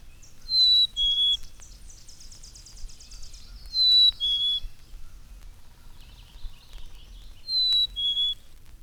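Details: In spring, a black-capped chickadee flies to meet the observer as if expecting food and gives three clear, falling two-note fee-bee whistles a few seconds apart, with buzzy chickadee-dee-dee calls between them over faint background noise.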